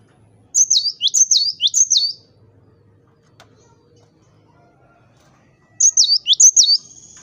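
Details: Cinereous tit singing eagerly, used to stir rival birds into song: a cluster of shrill two-note whistled phrases, several seconds of quiet, then another short burst of the same high whistles.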